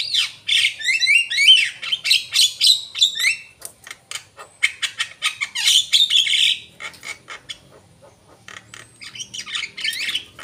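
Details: Javan myna singing vigorously, opening with a dense run of whistled warbles and harsh squawks, then scattered clicks and buzzy notes with quieter gaps.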